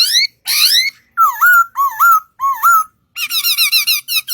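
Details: Singing bird: rising squeaky whistles, then three loud, dipping and rising whistled notes each about half a second long, ending in a rapid series of bright chirps.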